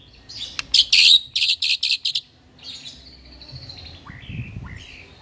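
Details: White-rumped shama: a run of harsh, buzzy bursts repeated rapidly for about a second and a half, followed by thin drawn-out whistles and a few faint falling notes.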